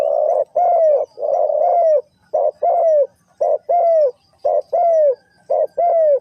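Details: Spotted dove in the Thai three-kuk hanging style, linked to Ninh Thuận in Vietnam, giving low hoarse coos in pairs: a short note, then a longer downward-curving note. The pairs repeat about once a second, clean and loud, with faint higher chirps.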